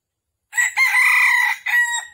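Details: Wild red junglefowl call from a trapping session in Vietnam, morning of 13 December 2021. A brief first note leads into a sustained, harsh middle note, then a shorter tail note fading away. The background is silent.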